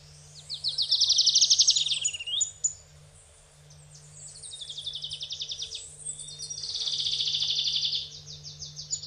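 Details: Adelaide's warbler, endemic to Puerto Rico, sings at Sierra Bermeja, Cabo Rojo: two high, rapid trills of fast-repeated notes, the first swelling then dropping, the second steadier, over a faint low hum.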